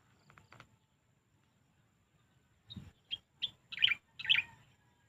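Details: Singing birds in a natural setting: a few faint chirps, a pause, then a run of loud, sharp chirped notes in quick succession, each with a low thump beneath.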